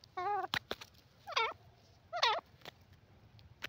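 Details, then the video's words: Teetar or grey francolin giving a fast burst of strident, harmonic, wavering calls, three in quick succession, with sharp clicking sounds between them. "teetar awaz teetar voice grey pheasant awaz partridge awaz"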